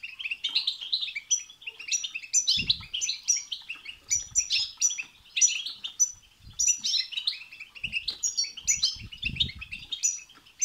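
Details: Long European goldfinch song for prompting a goldfinch to sing: dense, rapid twittering with bright high notes and trills in repeated bursts, lively throughout, with scattered low thumping sounds.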